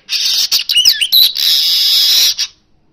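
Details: Energetic Asian golden weaver song in natural sound, played to stir kacer birds into singing: a continuous loud, high buzzy sizzle for over two seconds with a few swooping whistled notes woven through it.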